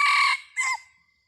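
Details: Crowing of a red junglefowl decoy rooster of a named strain, set out to call in wild birds on 30 October 2023: a brassy, rasping first phrase followed by a clipped second note trailing into a thin fading tone.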